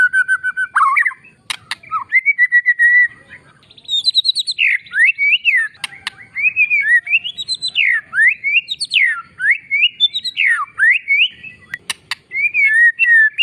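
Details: Oriental magpie-robin, in a master recording meant to provoke quiet or male magpie-robins, pours out a rich, varied song of clear whistles, slurred up-and-down notes and quick chattering phrases, with a few sharp clicks between.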